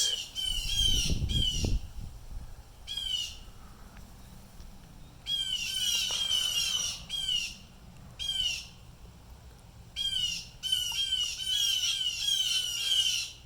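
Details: At least three blue jays making distress calls, with a cardinal nearby; repeated harsh, raspy squawks in short bursts, some overlapping, plus a brief low thump or rustle early on.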